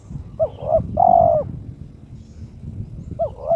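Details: Turtle dove, a caged bird in breeding condition, calling to challenge a rival: two short hooked coos then a long steady coo, followed by another short pair at the end, over low rumbling background noise.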